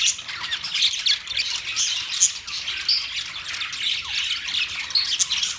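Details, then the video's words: Budgerigars chirping and singing while mating, a steady wash of shrill chirps, clicks and scratchy squawks from several birds, unbroken throughout. "Budgies Parakeet Singing | Budgies mating | Budgies birds chirping sound"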